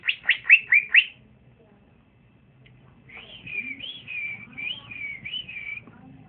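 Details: Young male green leafbird (cucak ijo) kept in a cage, in its early singing stage: five quick loud upswept notes, a pause, then a looping warbled whistle rising and falling.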